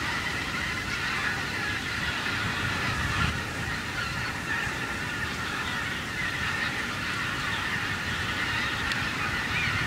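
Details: Wild geese over a harvested cornfield stubble call in a steady, overlapping chorus of nasal honks and yelps, many birds at once, over a constant broadband rush of wind or distant traffic.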